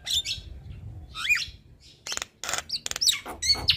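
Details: Very vocal male Javan myna singing for other mynas to copy: separate squeaky whistled phrases, then dense rasping bursts and bright chirps.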